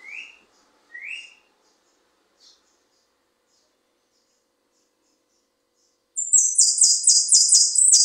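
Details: Saffron finch giving bonaerense song: two short rising chirps, a long silence, then a loud rapid series of high, even, repeated notes.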